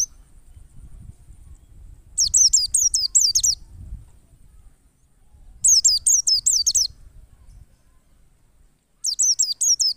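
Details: Lure song of a wild white-eye: three bursts of rapid, high, piercing downslurred notes, each lasting about a second and a half and spaced roughly three seconds apart, with faint low noise between.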